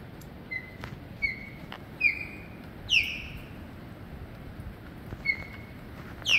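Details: Osprey calling while hunting fish on a rainy day in Destin, Florida, with ducks nearby: short, clear, whistled chirps, some slurring downward, given singly every second or so over a steady hiss of rain.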